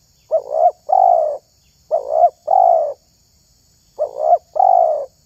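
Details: Terkukur (spotted dove) valued for its cooing when luring doves; three evenly spaced pairs of low hooting notes, a brief tremulous one leading into a longer smooth coo, about every 1.8 seconds.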